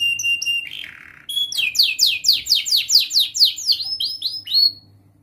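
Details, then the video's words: Singing young canary learning to compose its song, offered as a lure for juvenile canaries: short whistles and a harsh burst, then a loud series of sweeping downward slurred notes that fades out. "Masteran Kenari gacor Muda belajar NATA LAGU, paling Pandai utk pancingan kenari paud belajar bunyi"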